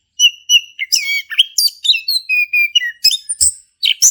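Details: Lively song of a male orange-headed thrush, played to prompt a quiet bird to sing: short steady whistles open, then rapid tumbling phrases of slurred whistles, chips and buzzy high notes in near-constant succession.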